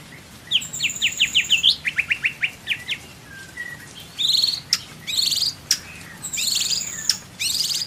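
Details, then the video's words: White-rumped shama song in Indonesia, from a training recording for caged songbirds: quick runs of sharp rising whistled notes, short buzzy slurs, then loud clear chirps and rich warbled phrases in bursts. "MASTERAN MURAI BATU ISIAN MEWAH MATERI FULL TEMBAKAN KOMPLIT"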